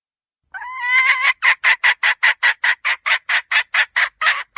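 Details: Hen red junglefowl, recorded as a lure for wild junglefowl, gives a long rough opening note followed by a steady series of raspy, clipped notes repeated roughly every quarter second.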